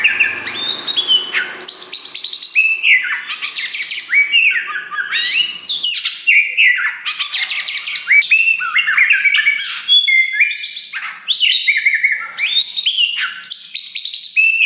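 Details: Oriental magpie-robin of the dark wulung form, a young bird just growing its tail, singing loudly and nonstop to provoke other birds. The song is a rapid, varied stream of high whistles, buzzy trills and sharp rising and falling notes with brief pauses.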